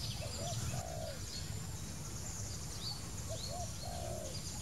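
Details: Wild spotted dove giving two evenly spaced cooing phrases, two quick soft hoots then a long, smooth, falling coo. Occasional high chirps from other birds and steady low rumble behind.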